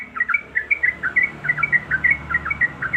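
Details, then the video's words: Female yellow-vented bulbul calling a male while in breeding condition: brisk run of clear, slurred chirps, each a quick downward-then-upward flick, evenly repeated over a soft hiss and low hum. "suara trucuk Gacor"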